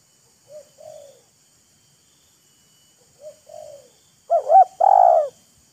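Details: Spotted dove exchange between a decoy bird and a wild bird, showing off, teasing and courting: two soft two-part coos about three seconds apart, then a loud quick double note and a long throaty coo.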